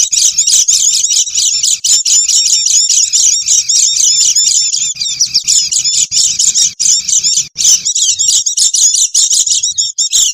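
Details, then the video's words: Noisy Oriental white-eye chatter meant as a lure for wild birds: an unbroken stream of fast, thin, high twitters and chips, overlapping as if from several birds, with brief gaps near the end and a soft low hum. "Suara Pikat Burung Pleci Ribut"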